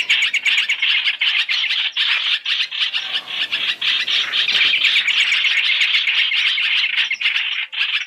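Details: Lure recording of masked laughingthrush (trao trảo) for trapping, three-in-one mix: raucous overlapping chatter with scratchy, rapidly repeated notes around four per second, sustained for eight seconds with small pauses.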